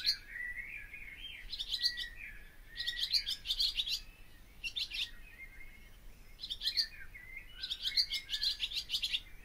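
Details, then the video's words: Barn swallow song in several separate bursts of rapid chattering and buzzy notes, each lasting about a second, with quiet gaps and soft sliding whistles between phrases. "O canto da ANDORINHA-DAS-CHAMINÉS/BARN SWALLOW SONG (Hirundo rustica)"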